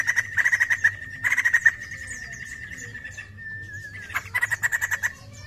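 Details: Short bursts of quick ringing chatter from a white-crested laughingthrush, separated by a long thin wavering whistle, then a final fast burst of repeated notes.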